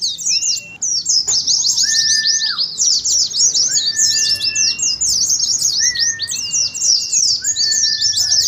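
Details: Oriental white-eyes chatter in ngeriwik style during a contest simulation. The high, rapid twittering is steady, with repeated lower, drawn-out, flat whistles spaced every second or two beneath it.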